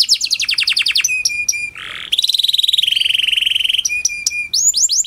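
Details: Canary of the Panda type in lure song to start lazy canaries singing: choppy trills, short whistles, a rasping note, then a long rapid, even rattle-like trill and closing swooping chirps.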